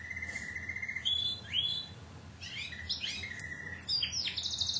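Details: Timbrado canary song by a 2009 club team bird from Greece: a long steady whistled tour, rising slurred notes, quick chattering runs, then a return to level whistled and buzzy rolled notes.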